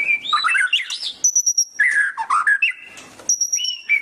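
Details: Energetic white-rumped shama song: rich mixed warbles, pure high sustained whistles held about a quarter second, sharp repeated chips and slurred lower phrases, delivered in bursts with short gaps.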